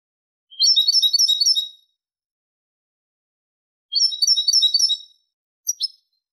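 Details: European goldfinch song, clean recording: two rapid tinkling phrases of dense, high twittering notes, each about a second long and about three seconds apart, followed by a brief sharp call.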